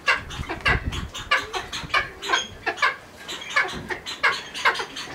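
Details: Captive Cheer pheasant (Catreus wallichii) at a pheasant breeding nursery gives a call: a steady run of short, harsh clucking notes, about two or three each second, with a faint low rumble early on.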